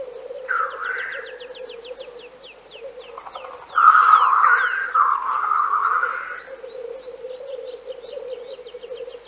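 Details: Black grouse of Central Russia giving several hoarse, sneezing hisses, one long and drawn out, over an unbroken low bubbling drone, with quick high chirps from a small bird nearby.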